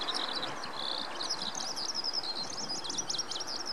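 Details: Eurasian skylark singing from a post at Noda, Japan, on 4 June 2014: a continuous, high, rapid warbling of trills and chirps without a break, over a steady outdoor hiss.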